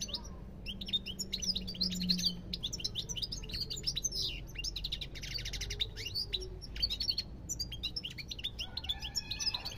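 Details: European goldfinch pouring out a long, fast, unbroken twittering song of tinkling chirps, trills and short buzzy rattles, high-pitched and busy throughout, over a faint low hum.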